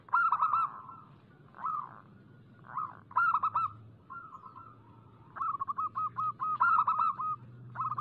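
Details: Local zebra dove song used as a lure to set other doves singing: short broken bursts of quick, chattering trilled coos, some single notes, then a longer run of rapid stuttering pulses near the end, with a low hum behind.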